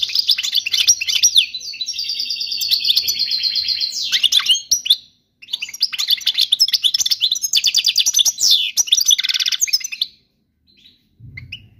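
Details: European goldfinch song, described as flawless and meant for teaching young birds: fast, continuous twittering with a long buzzy trilled stretch, a short break near five seconds, then a second tinkling burst before fading to quiet.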